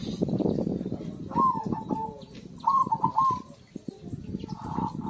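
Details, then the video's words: Actively singing zebra dove, meant to stimulate birds that have stopped singing: three short bursts of rapid, staccato cooing, the last more drawn out, with steady low rumbling noise and a few faint chirps. "PERKUTUT GACOR AMPUH UNTUK PANCINGAN SUARA BURUNG MACET BUNYI"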